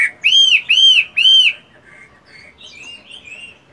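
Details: Chinese hwamei, a caged fighting bird in moult, singing during morning voice practice: three loud, clear arched whistles in quick succession, then fainter, lower warbled notes trailing off.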